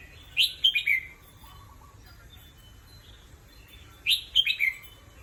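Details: Resting caged competition red-whiskered bulbul sings two matching short phrases about four seconds apart, each a rapid run of four bright, slurred chirps, with near silence between.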